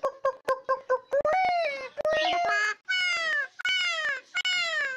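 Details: Pet myna kept by its owner, a bird said to make many kinds of sounds and to talk like a person; harmonic, nasal speech-like syllables in quick clipped bursts, then longer drawn wavering cries, indoors.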